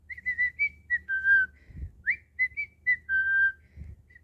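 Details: Pet cockatiel, talking and playing: a run of clear whistled notes, mostly steady or gently falling tones with a few quick upward slurs, in short phrases about a second long, with soft low thumps between phrases.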